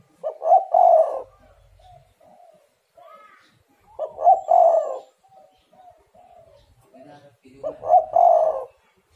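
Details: Spotted dove cooing as a lure to make other doves call: three rough, rolling coo phrases repeated about every four seconds, each trailed by soft short coo notes.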